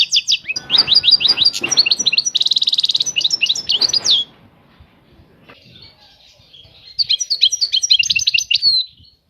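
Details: European goldfinch singing a long twittering phrase with rapid chirps and a dense buzzy trill, then after a pause another fainter run of tinkling notes; low rumbling noise under the first phrase.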